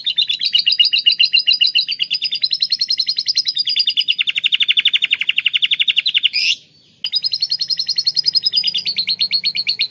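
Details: Atlantic canary singing learned lovebird song: long, loud, rapid trills of high, even notes that shift pitch between sections, one brief squeal, a short pause, then the fast trilling resumes.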